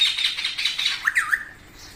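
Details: Parrot making a fast run of high chirping notes followed by three short, sharper squeaky calls, then trailing off into quiet.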